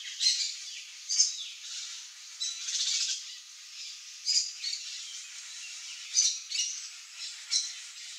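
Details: Blue-and-yellow macaws (Ara ararauna) feeding on a ripe mango in the Brazilian Cerrado; harsh, broadband squawks in short bursts at irregular intervals, about six over eight seconds, over a steady hissing background.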